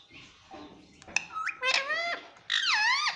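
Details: Indian ringneck parakeet kept as a talking pet, imitating "mummy": after a faint start come a few sharp clicks, then bent harmonic notes with a loud final rising-then-falling call, in a small room.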